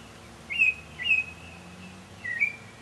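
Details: Mockingbird singing early one evening in May 2007: three clear whistled slurred notes with gaps, the last lower and falling, over soft low background hum.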